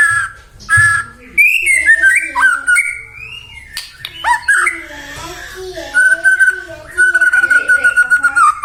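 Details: Lure recording of a persistently singing white-rumped shama meant to provoke rivals to answer: varied slurred whistles and squeaky notes, ending with a long, steady whistle pulsed by rapid stuttering beats.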